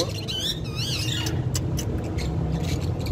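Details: A female Indian ringneck talking parakeet gives about a second of bright, wavering, speech-like chatter that slides up and down, over a steady low rumble and a few clicks.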